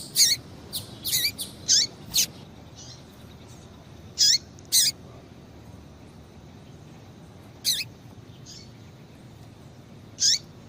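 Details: Female double-collared seedeater calls used to excite males: sharp high chirps, each ending in a falling tail, given singly or in quick pairs with gaps of up to three seconds in between.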